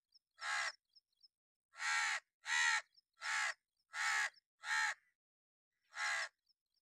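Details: Crow, possibly a hooded crow, giving sharp, loud caws as an alarm or warning in an angry mood: seven harsh, hoarse calls spaced irregularly across about six seconds, with a few faint clicks between them.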